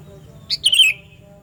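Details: Loud, clear Sooty-headed bulbul call meant for luring bulbuls: a single brief note followed by a ringing downslurred whistle that fades quickly, against a low steady hum.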